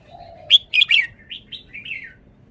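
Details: Red-whiskered bulbul, a cage bird, showing its song phrasing: a low steady whistle, then loud sharp chirps and a run of short rising and falling warbled notes over about two seconds. The background is quiet.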